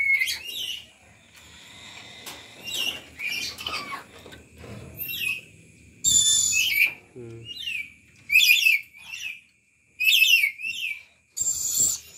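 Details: A lory from Papua, identified as an Aru lory (a relative of the black-capped lory) and said not to be talkative, gives short, harsh, squawking bursts between a man's spoken remarks; black-capped lory.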